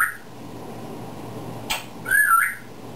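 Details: Pet African grey parrot indoors, known for talking, gives a short sharp click followed by a bright whistled phrase near the end; a person speaks right afterwards.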